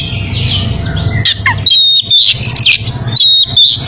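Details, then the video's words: In breeding condition, an Oriental magpie-robin calls a rival: a soft warble, then short, bright whistled phrases with thin high notes, repeated about every second, over faint low hum. "Kacer birahi memanggil lawan"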